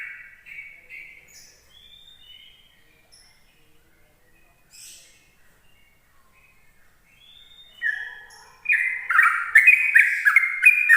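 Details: Yellow-vented bulbul in its morning ropel song, used to lure other bulbuls: a few soft whistled notes at first, long near-silence with faint chirps, then a sudden loud burst of rapid bubbling whistled phrases.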